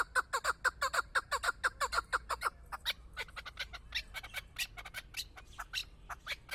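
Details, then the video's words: Hunting chukar partridge opens with fast, regular clucking, short down-slurred chucks about twice a second. It then breaks into a looser scatter of sharp, clicking notes. "Кабки шикори"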